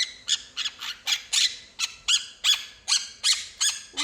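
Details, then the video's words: Pet quaker parrot at home, called a talking bird, giving a series of about twelve harsh, squawky chattering bursts roughly three per second, with an owner's voice briefly heard. "talking bird"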